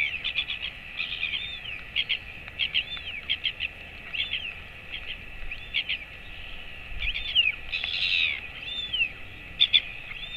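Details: Royal albatross chick, 217 days old, being fed by its father on 28 August 2024. Arched whistled calls mixed with quick clustered chirps from other birds, plus a steady background hiss.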